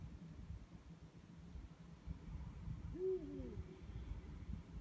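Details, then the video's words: One of two Eurasian eagle-owls calling at night gives a single deep, booming hoot, slightly rising then falling, over a steady low rumble of distant traffic or wind. "Uhus rufen in der Nacht"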